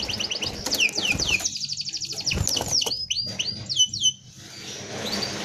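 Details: Canary in rolling song for tutoring: rapid descending sweeping notes in quick series, partly masked by broadband noise and clatter, fading out toward the end.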